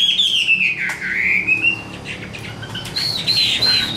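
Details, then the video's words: Caged young Chinese hwamei, tame enough to sing while carried by hand and still not in full condition: long sliding whistles dipping and rising, then sharp high notes and a level whistled phrase. "Họa Mi Thuần Sách Tay Hót"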